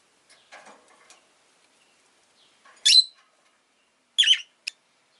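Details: A pet Rosy-faced lovebird opens with faint, scratchy twittering, then gives one loud, shrill chirp and, after a pause, a harsh double chirp followed by a quick click-like note.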